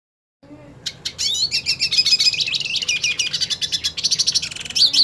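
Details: Purebred hooded siskin singing while wanting to fight another hooded siskin: after a short silence, a dense, fast stream of high twittering and buzzy chirps runs on without pause.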